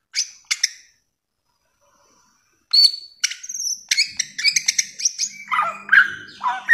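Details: A few sharp chips, a quiet gap, then a busy stretch of high whistles and lower slurred notes from a samyong, the bare-throated whistler, with faint low hum late on.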